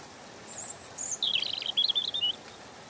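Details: European robin singing gently: thin high whistles near the top of its range, then a rapid tumbling phrase of sharp, varied notes that rise and fall over about a second, above a faint steady background hiss.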